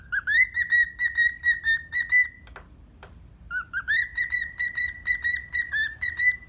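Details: Happy pet cockatiel in the morning sings a long run of fast, warbling whistles on one bright pitch, breaks off for two soft clicks, then resumes the rapid whistling.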